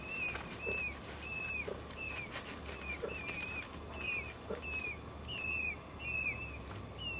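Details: Peafowl chicks on their third day of life, on a porch and calling their mother, give high, thin whistled peeps slurring slightly downward, about two a second and sometimes paired. Low background hum and a few soft knocks.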